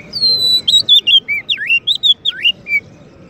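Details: Oriental magpie-robin, champion kacer used as master song for white-rumped shamas: a long pure whistle followed by a string of swooping V-shaped whistled notes, clear and loud.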